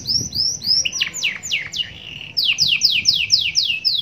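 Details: Canary song in rich 'cengkok' style with java sparrow ('glatik batu') fill-ins: smooth rising whistles, a short trill and a steady held tone, then a fast series of steeply falling whistled notes.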